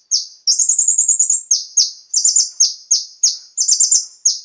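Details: Song of Van Hasselt's sunbird, locally konin, used to lure captive birds into song: a string of very high, clipped, downslurred whistles, with fast sparkling trill runs between them.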